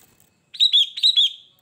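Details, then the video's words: Sooty-headed bulbul singing a crisp, rolling phrase of four rapid whistled notes grouped in two pairs, loud and clean with no other sounds. "kutilang gacor"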